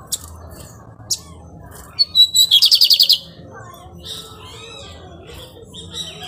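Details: While building its nest, a lined seedeater gives its pirate-style song: a couple of sharp chips, clear whistled notes, then a fast run of about eight repeated buzzy trilled elements, followed by softer twittering and low hum.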